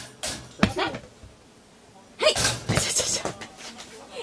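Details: A pet Ducorps's (Solomon) cockatoo, frustrated by being in breeding condition, plays at its cage entrance with a thrown ball and chews wood, giving harsh, raspy squawks in two bursts about two seconds apart.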